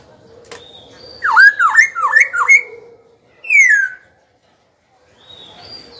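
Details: Cage-bird Black-throated laughingthrush song meant to spur rival birds into contest and train juveniles' voices. A faint tone, then four quick swooping whistled notes, then a bright descending slur, and a faint high whistle after silence.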